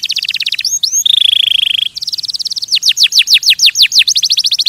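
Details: Canary singing: rapid high trills switching between tours, a steady buzzy rolled note, then a sequence of loud descending whistled sweeps repeated several times a second.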